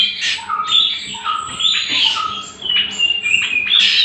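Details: Song of a greater green leafbird, a lure and tutor recording for other birds: bright chirps, short clear whistles and sweeping notes in a busy, continuous stream, with a faint background tone.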